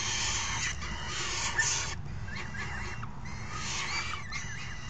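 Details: Young falcons begging as a parent feeds them on 3 June 2018, the adult having just delivered dinner; harsh rasping bursts with quick up-and-down inflections repeat rapidly, several per second, with a short pause mid-clip, over a constant low background rumble.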